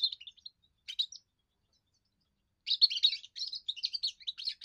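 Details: Young European goldfinch singing its first song to defend territory and attract females: short twittering snatches, a pause of over a second, then a sustained burst of bright, jangling trills.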